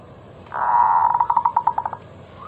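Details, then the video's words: Local zebra dove lure song, loud and crystal clear, used to prompt other doves to sing: a smooth low coo that breaks into a rolling trill of rapid pulsed notes lasting about one and a half seconds, then a short final note. "Masteran pancingan burung perkutut lokal suara Lantang kristal"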